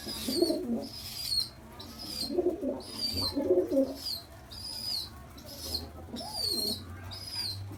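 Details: Squab begging noisily after a big feed: a steady run of six or seven piercing, slightly descending whistled squeaks, spaced about a second apart, mixed with intermittent low chattering and muffled rustles.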